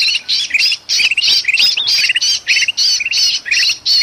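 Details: Bulbul (kutilang emas) in a frantic uproar beside a trapped bird, Sumatran forest: steady stream of grating squawks, each followed by a clipped pair of rising notes, about three per second.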